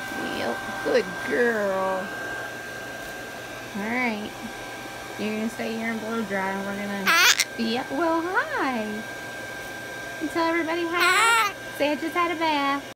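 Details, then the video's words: Female pet Hahn's macaw hums her favourite song, picked up from hearing it performed, while being bathed. The humming and babbling come in wavering, voice-like phrases that rise and fall in pitch, over a steady mechanical drone, possibly a blow dryer. "humming her favorite song!!! Parrot Macaw"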